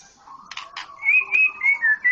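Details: White-rumped shama of Medan type: a few dry clicks, then a series of pure, smooth whistled notes, each slightly rising or falling, spaced evenly.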